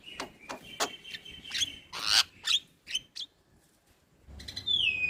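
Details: Starling tutor recording for young birds: a rapid series of clicks and whistled notes, a harsh burst, a short pause, then a clear descending whistle.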